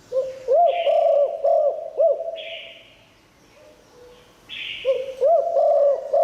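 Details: Spotted dove, a decoy with a 'liu tan' call that draws wild doves. Two phrases of mellow, repeated coos with a bouncing rhythm, separated by a quiet pause. Buzzy higher notes recur between them.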